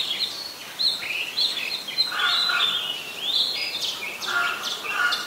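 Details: Oriental magpie-robin singing in Ubon Ratchathani, Thailand, on 26 December 2020; melodious slurred whistles and swooping notes, alternating with lower mellow phrases and a few sharp high chips.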